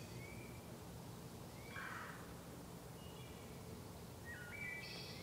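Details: A wood thrush sings faint, flute-like phrases in a sacred grove, unseen: soft whistled notes, then a higher, shimmering trill near the end, over a steady background hiss.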